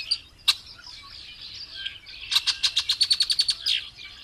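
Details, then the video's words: Variable oriole song: a sharp single chip, quiet warbled notes, then a run of about eleven crisp, evenly spaced staccato notes over roughly a second, ending in a brief slurred flourish. "BURUNG KICAU"MELRO de ASAS"(KICAU MANIA)Full Gacor."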